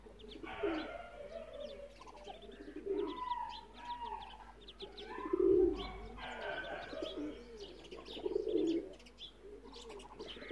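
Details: A Muscovy duck in Multan, Pakistan, gives soft, low, breathy murmurs roughly every two to three seconds, with faint high chirps and peeps scattered throughout.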